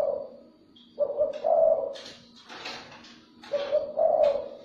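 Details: Spotted dove cooing to lure other doves: two mellow two-part phrases separated by a burst of rustling, handling-like noise, with the end of an earlier coo at the start.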